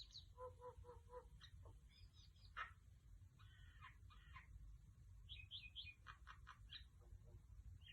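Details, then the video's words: Female mynah bird making different sounds, captured with an iPhone XS Max: quick repeated clicking notes, a hard squawk, paired buzzy calls, then bright high chirps in rapid succession, with constant low rumble behind. "Mynah bird making different sounds"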